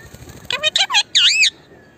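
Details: Indian ringneck parakeet, a talking parrot, voicing three quick nasal, harmonic syllables followed by a longer wavering, loud note that dips and rises, like mimicked speech, with little else audible.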